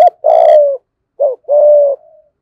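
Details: Decoy spotted dove in the giọng thổ voice style, calling as a lure: a short low note, a long buzzy level coo, then a brief arched note and another sustained coo, all low-pitched and mellow in a quiet setting.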